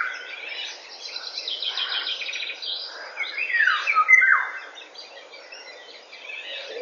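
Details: Morning song of a Eurasian golden oriole at 08:15, 19 May 2013: a loud, liquid, down-slurred whistled phrase midway, preceded by fast, scratchy chattering from other birds in the background.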